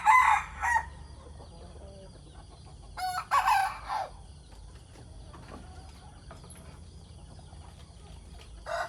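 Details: Decoy roosters crowing in the morning: two loud, harsh multi-part crows about three seconds apart, then quieter distant clucks, and another crow starting at the end over a steady low hum.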